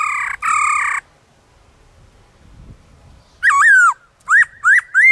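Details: Wild black-throated laughingthrush singing in forest, used to spur caged birds into song: two harsh buzzy bursts, a pause, then loud clear whistles that dip and rise, repeated in quick short phrases.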